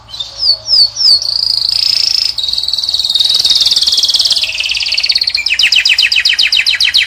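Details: European goldfinch, Moroccan, in a cage and singing to attract the female: three upslurred whistles, long shimmering trills gradually descending, ending in loud rapid pulsed notes.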